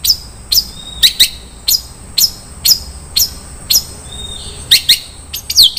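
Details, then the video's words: Long-tailed shrike (cendet) song in the rich 'isian mewah' fill-in style: sharp, high chip notes about every half second, with a short thin whistle between some of them, over a faint low hum. "SUARA BURUNG CENDET - ISIAN MEWAH"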